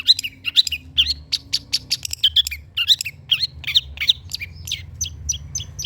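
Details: Long-tailed shrike singing, used as a lure to prompt reluctant shrikes to sing and as tutor material: a quick, steady chatter of sharp chirps and short whistled notes, each lasting a fraction of a second.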